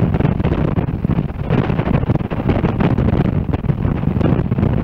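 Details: Heavy, continuous wind rumble buffets the microphone throughout, with no animal voice.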